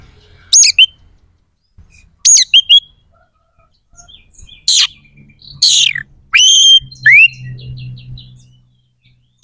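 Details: White-rumped shama singing spaced phrases: sharp whistled upslurs and harsh noisy bursts, ending with a quick series of descending chips, with a low hum underneath.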